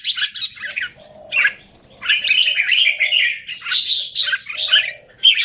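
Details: In a square cage on 17 January 2019, a red-whiskered bulbul pours out warbling, chattering song in sustained runs broken by short pauses, mixed with faint lower tonal notes in the background.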